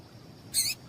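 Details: Single short, sharp high chip from a female double-collared seedeater, a call used to stir male birds into song, with only low hiss around it.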